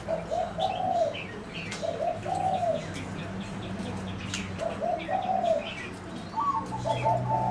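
Zebra doves give soft, rippling staccato coos, each phrase about a second long and repeated every few seconds. Faint chirps from other small birds and a low background hum are also heard.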